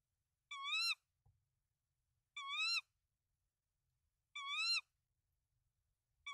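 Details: Tawny owl at its nest in Denmark on 24 March 2024, three eggs present, male bringing rodents to the female; strong, rising, harmonic calls repeated roughly every two seconds, four in a row, with a faint knock between the first two.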